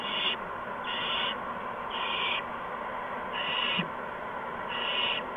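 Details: Owls at a nest during evening food deliveries to owlets on March 13, 2015. Five rough, breathy hisses, each lasting about half a second, sound at uneven intervals, with one brief low thump.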